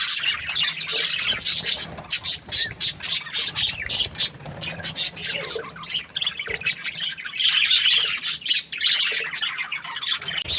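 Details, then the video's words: Happy budgerigars chirping: dense, high warbling chatter with rapid squeaky notes running almost without pause, swelling louder near the start and again toward the end. "Happy Budgie chirping sounds"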